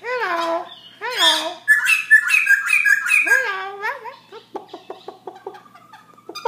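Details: Night song at 11 pm from a tireless Black-throated laughingthrush: low, rising nasal notes mixed with dense, jumbled whistles, then a rapid series of short clipped notes and a thin level tone.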